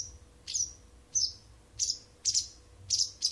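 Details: Wild bird that has sung to a house cat each morning and evening for nearly a month; thin, high, downslurred chirps spaced about half a second apart, some doubled, over a quiet low hum.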